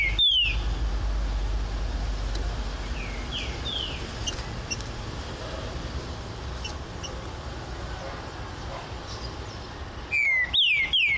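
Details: Great thrush, known as trinca-ferro, on a flight cage: a loud downslurred whistle opens, faint distant whistles follow, then a fast burst of three clear descending whistled notes at the end.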